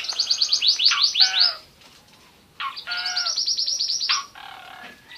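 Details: Asian pied starling from Lampung, Indonesia, delivers rapid series of loud descending whistled notes, several per second, then a pause and a second run of similar swept whistles ending in softer chatter.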